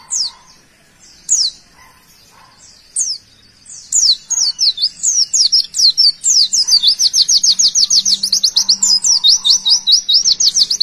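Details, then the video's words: High-pitched white-eye song: spaced sharp falling chirps give way to a long quick stream of repeated thin slurred notes, building in loudness and holding a fast regular rhythm. "tembakan pleci sultan"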